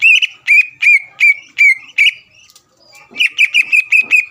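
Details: Greater green leafbird singing intensely to stir up competing leafbirds: a run of six ringing whistles with a downward hook, a brief silence, then a faster burst of eight sharp chirped whistles.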